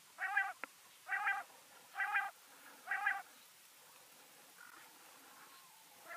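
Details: Quail recorded during winter hunting in severe cold, calling in four harsh, buzzy bursts, one each second, then fainter calls trailing off against a quiet background hiss.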